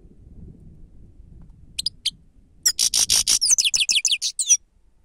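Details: Grey-headed goldfinch singing for a lure recording: two sharp chips, then a fast, tinkling, buzzy song of rattling pulses and descending twittered slurs lasting about two seconds.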